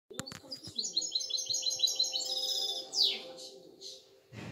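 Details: Six-month-old goldfinch × canary hybrid singing a fast run of bright, repeated high twittering notes, ending in a sharp descending slur, with faint low sounds in the background.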